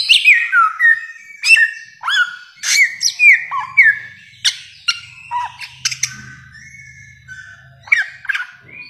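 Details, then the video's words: Bare-throated whistler, called samyong, in a long training recording of varied song: loud whistled notes sliding down from about mid-high pitch, with sharp chips, irregularly spaced, over a faint low hum. "masteran samyong 1001 suara durasi panjang"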